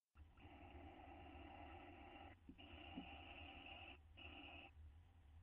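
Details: Two owls in a nest box, bonding as one tries to kiss the other, May 9, 2011: long, steady, rasping harmonic calls lasting about two seconds each, three in a row with short gaps, over low hum.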